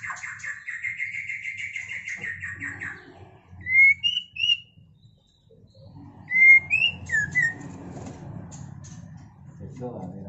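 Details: White-rumped shama during mating: a long buzzy rising trill, then a pause, then two phrases of loud, pure whistles that rise and fall, separated by quiet, with a low hum in the background.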